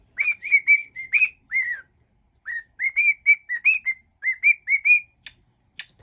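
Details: Pet cockatiel whistling a mash-up of mimicked songs: a run of clear whistled notes near one pitch, some rising and falling, in short phrases broken by brief pauses; a person speaks faintly at the end.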